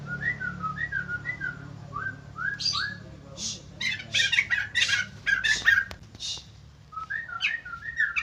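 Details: Captive white-crested laughingthrush giving a run of gliding whistled notes, then dense noisy chatter bursts, then whistles again, with a low background hum.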